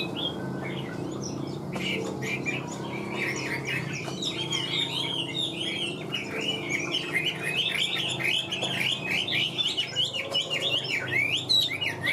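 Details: Caged Chinese hwamei starting with a few scattered notes, then building into a fast, loud, continuous torrent of looping whistles and warbles that intensifies toward the end.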